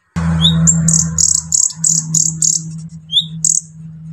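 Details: Brown-throated sunbird, a lively singer, singing to provoke and excite untrained sunbirds: short high chirps and sweeping notes repeated rapidly, over a steady low hum.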